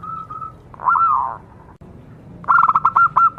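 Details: Zebra dove of local stock, used to lure other zebra doves into song: a faint level note, a slurred downward coo, then a rapid string of short staccato cooing notes.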